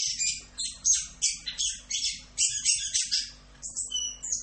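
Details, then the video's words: Orange-headed thrush (anis kembang) in a masteran tutoring recording, sung in the continuous 'Rock'n Roll' style: rapid, varied high chirps and trills repeated in quick bursts about every third of a second, with a faint low hum beneath. "MASTERAN ANIS KEMBANG FULL Rock'n Roll"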